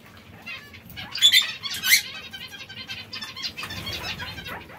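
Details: Zebra finches feeding on seeds and fresh greens call in a quick run of loud nasal, harmonic notes over the middle seconds, with softer chatter trailing after.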